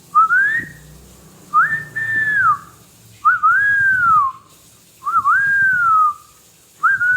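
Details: Pet parrot whistling a series of five similar tonal phrases, roughly every one and a half seconds, each rising, holding and then gliding down, with faint low rumbling between.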